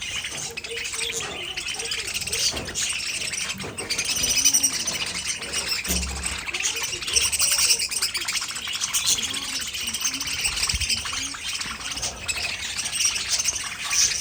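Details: A long run of budgerigar warbling: rapid high chirps, clicks and raspy twitters overlapping continuously, with brief dips and a soft low thump near the sixth second.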